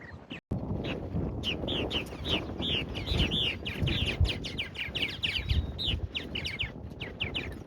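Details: Several purple martins, just arrived back at an Indiana bison farm on 18 April, give rapid, gurgling chirps rising and falling in quick overlapping bursts over a steady low rumble of wind.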